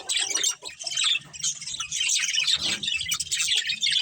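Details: Colony of budgerigars including a breeding pair, steady high, twittering and scratchy chirps from several birds throughout, with a soft low thud partway through.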